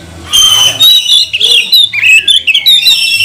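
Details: Kacer, or Oriental magpie-robin, singing as a provoking lure for other birds: a long bright whistled note, then harsh buzzy chatters and quick twisting whistles, loud and continuous.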